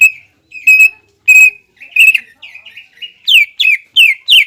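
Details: Greater green leafbird singing as a lure to excite rival leafbirds into fighting condition. Several spaced, ringing whistles are followed by a run of sharp, steeply descending slurred notes given roughly four times a second.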